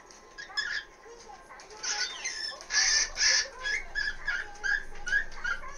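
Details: Pet cockatiel indoors giving its daily "kikiki" calls, which it cannot hold back during the 1 pm hour: loud, harsh, scratchy notes in uneven bursts, some stretched and buzzy, repeated a few times per second.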